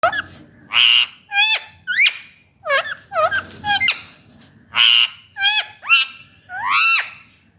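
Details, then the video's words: An Indian ringneck (rose-ringed) parakeet, a talking pet parrot, gives loud, harsh, rasping screeches, about ten in quick bursts, some sharply rising and others falling, with short pauses between. "Ringneck parrot natural voice"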